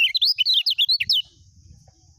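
A lemon-bellied white-eye gives about a second of fast, high, twittering song: a quick run of thin, rising and falling notes, then quiet.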